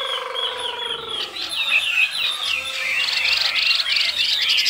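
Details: Caged Chinese hwamei singing in the 'cao cầu' style: a low descending tone fades out, then slurred whistles build into a fast run of high, repeated notes over steady background noise.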